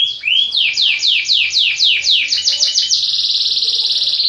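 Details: Canary song of rapid descending whistled syllables repeated in a fast series, switching into a long, even high-pitched trill.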